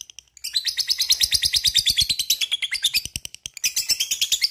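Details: Lovebird in ngekek song, a long rapid chatter meant to provoke other lovebirds to sing: a fast, continuous, high rattling trill of squeaky notes with a brief break before it resumes.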